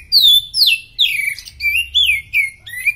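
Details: A very fit Oriental magpie-robin delivers tutor song for other birds, a run of rich whistles, each swooping downward or wavering, about six phrases in quick succession with brief gaps.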